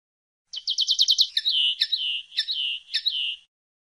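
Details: Common linnet, known as pardillo or pajarel, opening with a quick rattle of seven staccato notes, then several drawn-out, slurred whistles alternating with sharp clicks.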